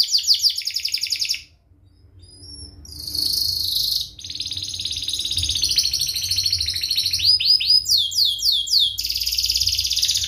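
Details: Canary song used as a tutor recording for young canaries learning to sing: dense high trills, sharp chirps and fast rolling phrases, briefly pausing near the start, then continuous rapid repeated notes with descending sweeps.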